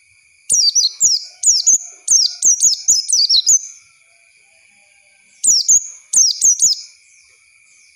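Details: Training lure for young Oriental white-eyes learning wild-style song: repeated clusters of sharp, high whistles sliding downward, delivered in fast bursts of two to four notes across several seconds, then a pause and more clusters, over a steady faint hum.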